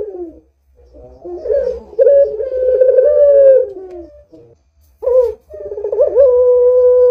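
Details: Lure recording of an actively calling Barbary dove: rolling, pulsing coos sliding into long sustained tones, a brief pause, then another burst with a throaty roll and a steady held note.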